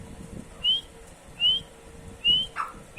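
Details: Partridge (teetar) calling: short, clear whistled notes rising slightly, repeated about once every second, with a faint steady hum in the background.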